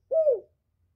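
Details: Decoy male spotted dove calling to lure wild birds. A single smooth, low coo that dips gently in pitch, then silence.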